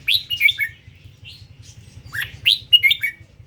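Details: Red-whiskered bulbul of the Indo strain singing: short bright warbled phrases of rising and falling whistled notes, bursts around half a second long separated by pauses, over a steady low hum.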